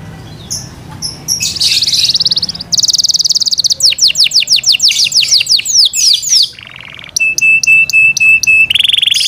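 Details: Yorkshire canary kept as a cage bird, singing a loud varied song of buzzy trills, rapid descending sweeps, a lower rattling phrase and sharp repeated ticking notes.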